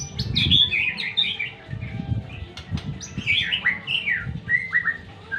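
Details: White-rumped shama delivering a rich, rambling song of warbled and whistled phrases, some rising and some falling, over soft low thumping background noise.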